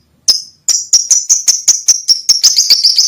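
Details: Lovebird singing to call a female: after one opening chirp comes a fast, slightly uneven run of bright, high, ringing chirps, about two or three each second, growing denser toward the end.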